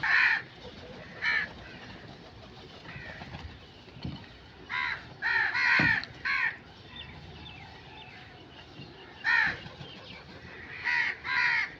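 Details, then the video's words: Crows calling: about ten harsh, hoarse caws, singly and in pairs, spaced irregularly over twelve seconds, with a faint hiss of background noise. "Crow sound effects"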